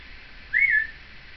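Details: Seven-year-old female Timneh African grey parrot, a house pet chattering with her caregiver in 2012, gives a single short clear whistle that rises slightly and then falls away.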